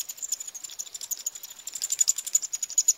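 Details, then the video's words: Eurasian wryneck chicks at feeding time, Pribytki, Russia, 2 July 2018: an uneven stream of sharp, high, sizzling clicks with a thin whistled tone running through them, roughly four per second. "Eurasian wryneck (Jynx torquilla) feeding chicks"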